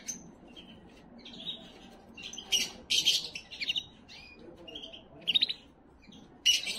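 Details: Canary song for stimulating females, varied trills and harsh buzzy rolls with loud bursts of chattering notes, pauses between phrases, high-pitched throughout.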